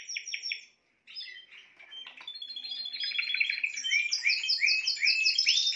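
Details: Spanish timbrado canary: a short trill, a brief pause, then scattered notes building into a long, loud, rapid rolling trill.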